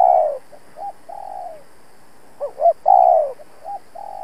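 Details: Spotted dove kept as a trapping decoy, cooing to lure and challenge rival males; long rolling coos alternate with soft single notes and paired short rising coos in a steady, insistent pattern.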